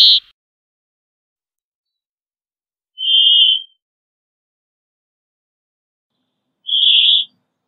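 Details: Brambling repeating a flat, drawn-out buzzy wheeze, two clear notes roughly three and a half seconds apart after a brief clipped note at the start, with a quiet background.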